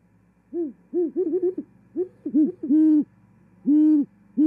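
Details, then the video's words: A newly arrived female Great Horned Owl at Charlo, Montana, 18 January 2021, singing and mating, gives low, soft hoots: a quick stuttering run of short notes, then three longer drawn-out hoots about a second apart. "Arrival Great Horned Owl Female-Singing & Mating"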